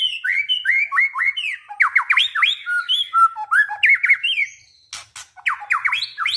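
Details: Continuous varied song of a white-rumped shama, a string of loud whistled slurs and sharp downward-swept notes in quick succession, with a short pause near five seconds before more whistles and clicks.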